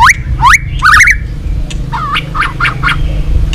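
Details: White-rumped shama training song to provoke rivals: three fast upward-sweeping whistles, then a pause and a series of short, rough chattering notes over a low background drone.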